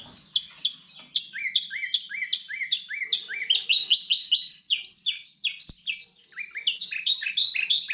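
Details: Steady rolling song of a goldfinch x canary hybrid: high sharp chirps sliding down into lower notes, repeated rapidly for eight seconds with slight shifts in phrasing, one faint click partway through.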